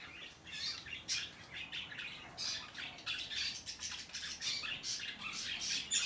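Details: Hand-tame peach-faced lovebirds, 21 March 2020: a steady run of sharp, high, scratchy chirps and squawks, closely spaced and overlapping, with no other sounds standing out.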